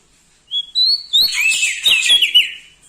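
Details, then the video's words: Bar-winged prinia with a loud, ringing song: two rising whistled notes open into a dense, fast, buzzy and scratchy phrase of tumbling notes that fades at the end. "Prenjak Daun Lombok gacor Mental Juara Nempel Sama Burung Besar Suara Nyaring"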